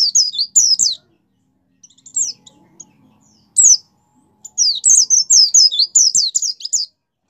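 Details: Captive white-eye singing vigorously as a stimulus for other kept white-eyes: scattered high, sharp, downward-slurred whistles, then a long rapid chain of twittering notes, bright and thin, with a few soft clicks in between.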